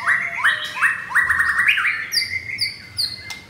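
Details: White-rumped shama of blorok type, double-ringed and caged in Kemayoran, Jakarta, recorded 19 May morning; five rapid rising whistled notes, then a long level whistle with faint high thin notes repeating behind it.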